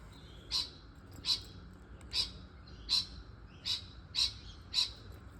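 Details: A rainbow lorikeet (Trichoglossus moluccanus) close by outdoors gives seven short, shrill, high screeches at an uneven pace, roughly one every half to three-quarters of a second.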